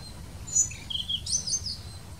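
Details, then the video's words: A Blue-throated flycatcher in India sings thin, high, sweeping notes that slide up and down in a short, fluid phrase over a soft background hum. "Blue throated Flycatcher Notch throated singing"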